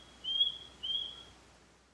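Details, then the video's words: An Osprey (Pandion haliaetus), recorded in the wild, gives two clear, high whistled notes about half a second apart, each slightly rising and steady in pitch, over faint background hiss. "Osprey Sound – Song & Bird Calls"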